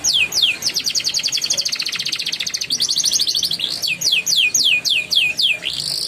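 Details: Canary song for prompting juvenile canaries into rolling, chattering song: quick down-slurred notes, then a dense buzzy trill, then the fast sweeping notes return.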